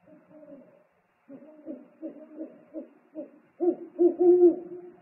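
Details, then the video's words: Owl pair at a nest on a live nest camera as the father arrives with food, 3 March 2019. Low hoots come in a halting series after a short pause, then swell into loud, drawn-out overlapping calls. "ūpju paps atnes ņammu,dialogs"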